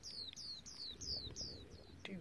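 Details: On a path on Penghu Island, Taiwan, on 6 July 2017, an unidentified bird or insect gives a quick series of high, thin notes, each sliding downward, about three per second.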